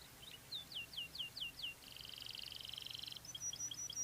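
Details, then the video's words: Canary singing a cengkok-style song: a run of clear down-slurred whistles, then a fast buzzy rattling trill, followed by short high chirps. "Suara Burung Kenari Cengkok"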